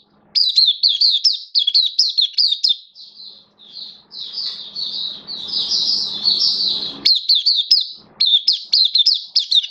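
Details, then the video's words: Caged hobby oriental white-eye singing on 11 September 2022: fast bursts of high twittering notes, a softer slurred middle passage with low hum beneath, then quick chirped phrases again. "Mata Puteh Kitaro Buka Sing"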